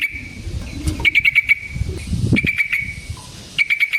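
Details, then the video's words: Yellow-vented bulbul singing energetically in long rolls, a recording meant to provoke other bulbuls into answering: three quick bursts of sharp repeated chattering notes between quieter gaps, low murmur underneath. "Burung TRUCUKAN GACOR Ropel Panjang Cocok untuk PANCINGAN Trucuk bahan dan MASTERAN Burung Trucukan"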